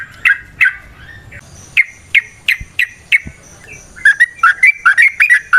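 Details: Trucukan, or Yellow-vented bulbul, sung to draw other trucukan into song: spaced downward chirps, a faint steady whistle in the background, then a lively run of quick rising and falling notes.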